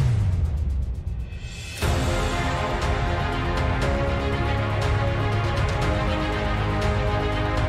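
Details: A low swelling tone gives way to loud, dense electronic music with a sharp whoosh at the start, and no animal sounds.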